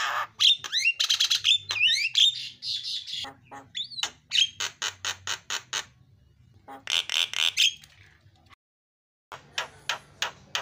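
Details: Javan myna fill-in song, a lure for prompting other birds to sing: rapid sequences of short rasping and whistled notes, some squawking bursts, a brief silence, then more clipped chattering notes.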